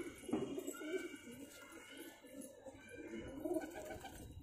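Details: Cheene pigeons, a pair, give two clear low coo phrases, one at the start and one near the end, with quieter murmuring between.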